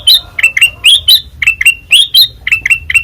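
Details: Ngeplong song from a white-eyed kutilang emas: loud, clear chirps that flick upward, given about three per second, some with a higher ringing overtone.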